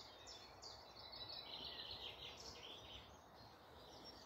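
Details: Woodland birds singing in the morning near Malton, North Yorkshire: high, scratchy twittering phrases overlapping against a steady hiss of background noise.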